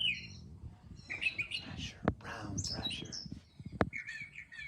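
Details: Brown Thrasher song played back from a device held up close, with phrases said to repeat twice; varied chirpy, scratchy phrases at different pitches, mixed with sharp clicks and handling noise.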